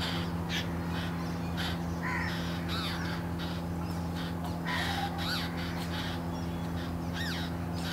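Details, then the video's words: Hungry Jungle Babbler hatchlings, a pair out of their nest among dry bamboo leaves, call to a parent bringing food. Rough, grating bursts mix with quick rising-and-falling squeals at irregular intervals over a constant low drone. "Hungry and noisy Jungle Babbler hatchlings chirp for parent's attention"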